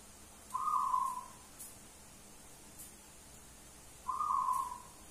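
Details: Wild local zebra dove calling loudly: two low, level whistled notes, each lasting about half a second, spaced roughly three and a half seconds apart, over a quiet background hiss.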